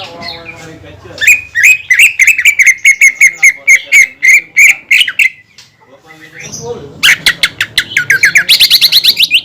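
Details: Greater green leafbird singing, played to rouse other leafbirds into song. Low chatter gives way to a quick series of clipped high notes, a brief lull, then hurried sharp trills climbing higher.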